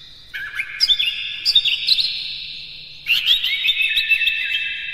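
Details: Oriental magpie-robin singing to provoke other magpie-robins; two long phrases of clear whistles, sweeping slurs and quick chattering notes, separated by a brief gap.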